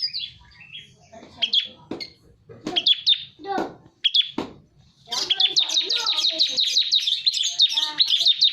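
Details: Bar-winged prinia lure recording with scattered sharp chirps early, then a fast, continuous run of high, repeated chipping notes from five seconds onward.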